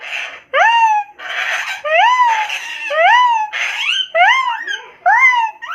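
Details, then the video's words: Indian ringneck parrot kept as a pet, making funny sounds indoors: loud, harsh, rising-then-falling squawks with strong harmonics, repeated roughly every half second in bursts. "PARROT MAKING FUNNY SOUNDS"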